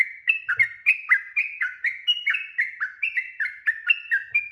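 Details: Long lure song of a sooty-headed bulbul, meant to prompt other birds to answer back: a fast, continuous stream of bright whistled notes, many slurring downward, about four to five per second with no pauses.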